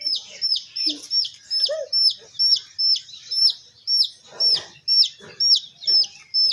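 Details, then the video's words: Raised baby chicks give loud, rhythmic high peeps, about two every second, each falling at the end, with a few softer low clucking notes and scuffling in between. "Watch These Adorable Little Hen Chicks 🐥 | Raising Baby Chicks | 100% Origional Voice"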